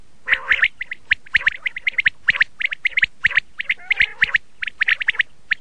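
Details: Red-shade common quail (laal batir) chattering steadily with rapid, scratchy chirps, often in pairs or trios, packed closely with brief pauses.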